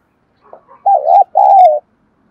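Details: One short phrase from a decoy spotted dove calling wild doves in to fight: faint soft notes, then two loud sustained coos, the second sliding gently downward.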